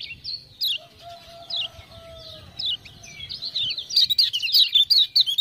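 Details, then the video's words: Lemon-bellied white-eye singing energetically as tutor material, triggered by ciak-ciak calls: scattered high chirps first, a long low steady whistle in the background, then a dense bright chattering burst at the end. "Kecial Kuning joss gacor bukan kecial juara lomba tapi juara masteran"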